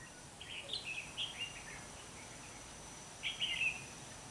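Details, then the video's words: Red-whiskered bulbul with a bell-like voice singing as a decoy during bird trapping on 27 November 2016; short warbled phrases around the middle range, a cluster early and another near the end, over steady background hiss. "Bẫy chào mào giọng chuông"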